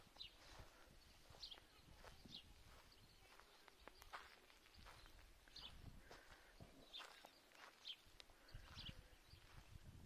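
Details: Young greylag goose goslings on their way to the lake water at Lake Neusiedl under watch of parent geese; scattered high descending peeps, several overlapping, mixed with footsteps and rustling in the grass.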